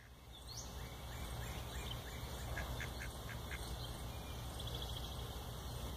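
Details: A cranky pair of mallards in South Carolina, being given birdseed, gives short, rough quacks in a quick run over a steady low rumble.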